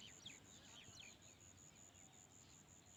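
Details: In the morning, several birds give quick, bright chirps and short sweeping notes, busiest in the first second, over a steady high insect-like trill and soft background hiss.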